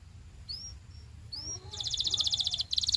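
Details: Canary singing for training: two thin rising whistles, then a fast, evenly pulsed metallic roll lasting about a second, briefly broken and resumed.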